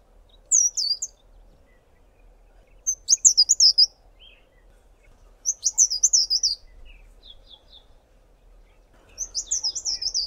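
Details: A Fairy Flycatcher at Tankwa Karoo National Park sings thin, very high wispy phrases of rapid wavering notes, each about a second long, repeated every two to three seconds, with soft chips between.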